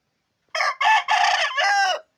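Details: Rooster, a chicken recovered from illness, crowing strongly: one harsh, loud crow of about one and a half seconds in several joined segments, the last drawn out and falling, with silence before and after.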